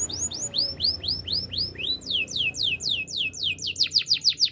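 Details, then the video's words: Spanish Timbrado canary singing: series of clear, falling whistled sweeps repeated several times a second, shifting into faster, sharper rolling notes, over a low background hum. "Spanish timbrado canary singing"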